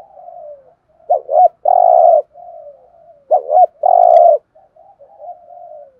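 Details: Spotted dove giving its rapid urging coo: soft low descending murmurs alternate with loud short double notes followed by a sustained hollow coo, the phrase repeating twice.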